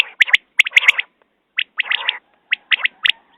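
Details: Quail calling in short, sharp notes clustered in quick groups of about three, each burst pitched high and slightly buzzy, with brief silent gaps between the groups.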